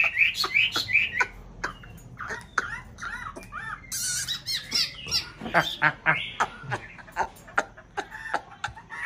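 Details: White Chinese hwamei in a mountain-town conservation aviary during nesting season: rapid repeated whistled notes, sharp clicks and a sudden harsh burst, then scattered squawky phrases.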